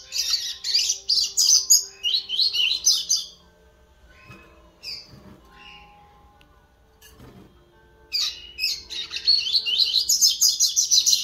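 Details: Young double-collared seedeater practising its song, Terceira Nota and Laranjeira styles, recorded 11 September 2021: fast, high, scratchy twittering phrases in two bursts separated by a few seconds of quiet, with a faint low steady hum beneath.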